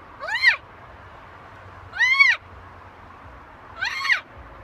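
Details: A talking macaw on a balcony gives three drawn-out, rising-then-falling voiced calls about two seconds apart, rich in overtones and speech-like, over a faint steady background hum.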